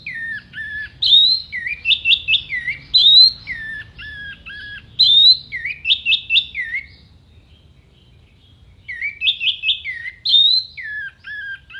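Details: Orange-headed thrush singing a long contest-style mimicry sequence, sharp and clear: rapid clusters of bright whistled notes and descending slurs, repeated in bouts separated by a quiet gap of about two seconds, low background hum.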